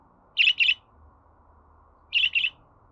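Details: Budgerigar chirping intended to be played to a pet bird to get it singing: two quick double chirps, bright and clipped, close to two seconds apart over faint hum.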